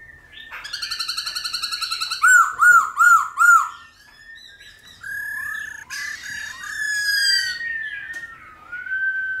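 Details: Black-throated laughingthrush song in the wild-style voice with many voices, meant to stimulate wild-caught birds. A buzzy trill opens, followed by four loud arched whistles, then mellow wavering phrases and a long sliding whistle.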